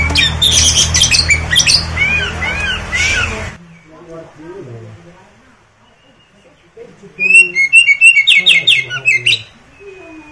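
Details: Oriental magpie-robin in gacor song meant to set other magpie-robins replying and spreading their tails: a burst of busy high chatter, a quieter lull with soft low notes, then loud rapid repeated whistled phrases near the end.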